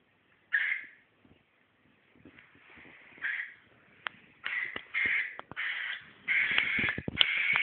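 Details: Cockatiel reacting to green socks, starting with a single screech, then quieter scratchy notes and sharp clicks before a rapid, dense run of harsh calls at the end.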